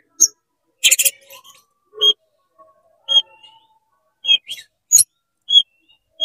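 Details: Oriental magpie-robin, tail spread and worked up, singing to provoke others of its kind; sparse sharp whistled notes and short chips come about once a second, with a brief harsh burst near the start.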